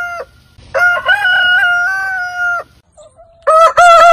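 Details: Heritage-breed rooster giving a long, steady, harmonic crow of about two seconds that ends abruptly, followed by the start of another rooster's crow.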